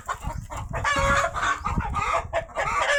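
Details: Farmyard rooster shouting after a hen has laid two eggs. Short, strident, harmonic squawks follow one another closely, mixed with a man's excited voice commenting.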